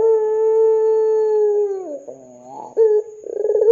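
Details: Calling ringneck dove used as a lure to set other doves calling, 'gacor dor' style: a long, steady, low hollow coo of almost two seconds that sags at the end, then a short rolling burr and renewed cooing.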